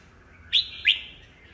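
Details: Red-whiskered bulbul, an old wild-caught bird kept by a hobbyist, singing to provoke rival birds into competitive song: two bright, sharp whistled notes about a third of a second apart, each sliding down, in a quiet background.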